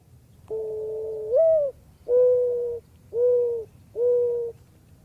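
A Mourning Dove gives its low, mournful cooing: a long first coo that swells upward, then three steady, hollow coos about once a second.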